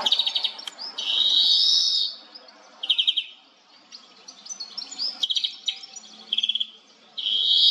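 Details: A European goldfinch (Carduelis carduelis), filmed with a Nikon Coolpix P1000, sings lively high twittering phrases mixing rapid ticks, liquid trills and drawn-out buzzy notes, in bursts with short gaps between them.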